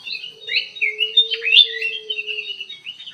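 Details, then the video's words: In an aviary, a golden bulbul sings fast, jumbled whistled phrases that swoop up and down, over a steady low hum held beneath them for most of the clip. "KUTILANG EMAS GACOR DIDALAM AVIARY"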